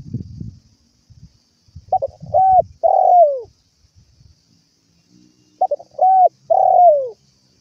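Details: Cooing of a spotted dove calling to its companions, meant to coax other doves into calling: two phrases about four seconds apart, each two brief coos and then a drawn-out falling note, with faint low knocks.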